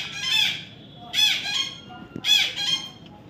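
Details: Baby parrot, said to be an Indian ringneck, during taming: rough, buzzy squawks in three clusters roughly a second apart, loud and close, with a faint tap between calls.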